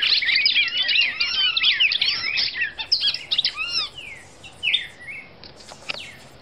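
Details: Brazilian female red-crested cardinal singing a fast, jumbled run of bright chirps and looping whistles, thinning later into separate downslurred and rising notes.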